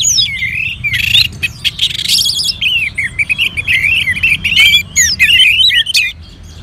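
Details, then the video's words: Orange-headed thrush kept in northern Bali, set off by played colony bird sounds. A busy run of varied warbled whistles and swooping notes is broken by a few loud scratchy, rasping bursts. "Merangsang ANIS MERAH Agar Mau Berbunyi"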